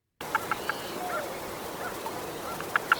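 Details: Western grebe (Aechmophorus occidentalis) on the water gives chatter calls just before diving: short, harsh, clipped notes in a quick run, a pause, then two more sharp notes, over steady outdoor hiss.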